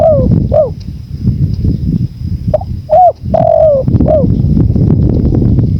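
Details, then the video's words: Spotted dove giving soft, hollow coos that dip slightly in pitch, several short notes and one longer drawn-out coo, over a constant low rumble of wind and a faint steady high whine. "MASTERAN TEKUKUR"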